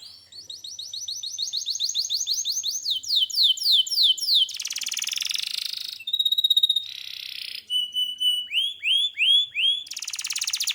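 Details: Canary song with the lively, energetic style called gacor: fast rising trills, then a buzzy burst, clear whistled notes and a series of upward-curving notes repeated about twice a second, closing in a rapid rattle.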